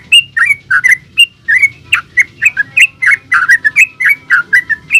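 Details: A yellow-vented bulbul sings continuously in the 'gacor ulpik ropel' manner, used to lure other bulbuls into song: dense bubbly whistled phrases of falling and rising notes, about four per second, strong and unbroken for five seconds.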